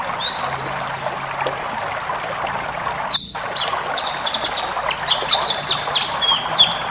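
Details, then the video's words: White-eye song for training cage birds to sing: a busy stream of sharp high chirps and sliding whistles, broken by a brief silent cut near the middle, then resuming just as dense. "masteran burung pleci ngalas full isian"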